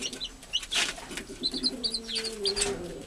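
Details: American hen with her newly hatched chicks: high, short chick peeps scattered through the clip over a faint low murmur and some bursts of broadband noise.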